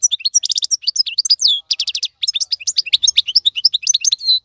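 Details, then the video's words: Maqnin-style European goldfinch song for tutoring young birds: a tumbling high twitter of sharp chirps, buzzy rattles and slurred notes in a steady stream. "افضل مقنين لتسميع الفراخ. مقنين جميل جدا لتعليم الفراخ"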